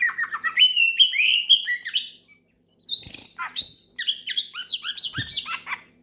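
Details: An oriental magpie-robin sings hard to draw a rival; fluent run of whistled notes, falling slurs and trills, one brief silence, then a fast varied medley of high rising and falling whistles.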